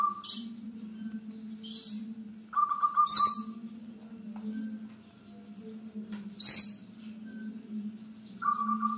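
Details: Actively singing local Zebra Dove, used as a lure: three brief rolling trilled coos spaced several seconds apart, with loud harsh rustling bursts between them and a constant low droning hum throughout.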